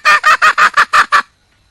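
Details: Seven rapid, rough cackling notes from a wild red junglefowl hen calling for a male, evenly spaced and ending abruptly into silence.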